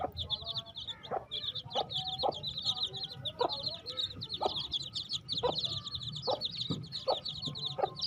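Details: Many baby chicks chirping nonstop, shrill short peeps packed closely together, while deeper brief clucking notes punctuate the flock roughly once a second.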